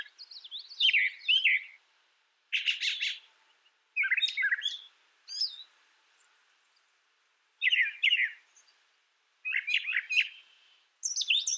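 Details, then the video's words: Brown thrasher song of seven or eight varied phrases spaced by short pauses. The phrases mix scratchy, rattling notes with slurred chirps, several of them repeated twice. "Brown Thrasher Bird Sound, Bird Song"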